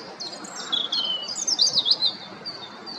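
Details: Close-up European robin singing to defend territory and keep contact: thin, high, clear warbling phrases with quick twists and trills, rising in the middle of the clip, then fading.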